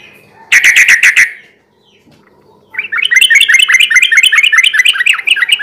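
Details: Sooty-headed bulbul singing hard in garuda ropel style, meant to lure and provoke rivals into singing at night: a short burst of clipped buzzy notes, a brief quiet gap, then a long fast run of chirping notes.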